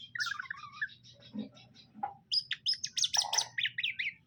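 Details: Male and female greater green leafbirds kept caged and introduced for pairing; a run of varied whistles opens, then rapid sharp chirps and bright trills follow, with a steady low hum throughout.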